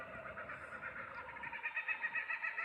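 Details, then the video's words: Laughing kookaburra giving its laugh: rapid, rollicking chuckling notes that pulse in quick succession and grow louder toward the end. "So what you just heard then was the laughing kookaburras laugh."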